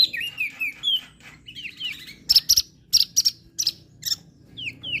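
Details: Crested white-eye from Lombok in full song, used as a training recording for birds that rarely sing: curved whistled notes mixed with loud broadband chips in bursts, brief pauses between phrases.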